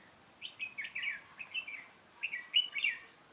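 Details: During trapping on 13 March 2017, a red-whiskered bulbul sings rapid, chirpy warbled phrases of bouncing notes, two clusters separated by a short gap, crisp against a quiet setting.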